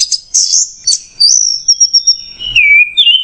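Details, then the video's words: Orange-headed thrush song: bright high chirps leading into a sustained, slightly wavering whistle that steps down to a lower, rich whistled phrase near the end. "MASTERAN ANIS MERAH MACET JERNIH"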